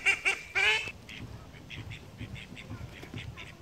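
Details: Call ducks on the wing: three loud, harsh, drawn-out quacks in the first second, followed by softer, repeated short quacks at a distance.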